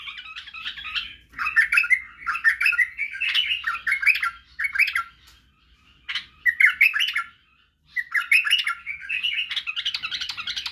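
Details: White-eared bulbul song for training young birds: bubbly, varied warbling phrases with quick slurred notes, coming in several bursts with brief silences between them.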